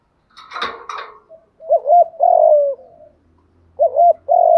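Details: Spotted dove cooing, used as a lure to draw wild doves: after a brief rustle, low hoarse coos in pairs, a short hooked note then a longer falling one, repeated with short gaps.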